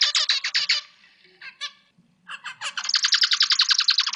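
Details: Zebra finch sings a fast series of harsh, nasal, buzzy notes with a brief pause midway, recorded as a master song for training other birds.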